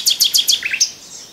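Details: Brief common nightingale phrase: four loud, high repeated notes in quick succession, then two lower slurred notes and a final high whistle.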